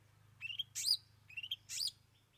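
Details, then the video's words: Long-tailed shrike singing, repeating a two-part phrase twice: a rising whistled note followed by a harsh, scratchy high burst, over a steady low hum. "Cendet Bongkar 3 Isian"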